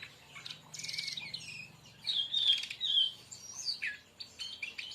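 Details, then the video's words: Song of a brown-chested jungle flycatcher, 'tembakan' style, played for luring or training birds: bursts of bright twittering and slurred high whistles, some sharp and metallic, broken by brief pauses and scratchy clicking notes. "masteran tembakan burung SIKATAN RIMBA"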